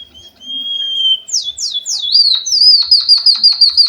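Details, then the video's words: Java sparrow song, used as a canary-style filler recording for training and stimulating birds: a long steady high whistle, then a few sharp downward-sweeping notes, ending in a fast run of repeated chirps at about three per second. "Suara burung pipit bondol haji emprit kaji gacor"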